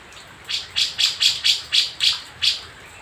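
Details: Newly wild-caught Javan grey-cheeked bulbul from Jember, East Java, kept for five days: a quick run of eight rasping chack notes, evenly spaced about four per second, then quiet.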